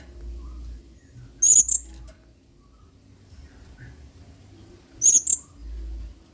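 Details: Blue-crowned hanging parrot in 'main singa' style, a model song for training birds: two shrill two-note bursts, about three and a half seconds apart, separated by low rumbling background noise.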